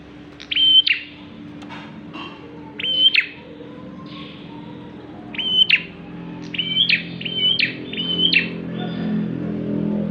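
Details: Bar-winged prinia singing as a lure for other birds: scattered high whistled notes with sharp chips, spaced irregularly over ten seconds, then a quicker cluster of about four, over a low humming background.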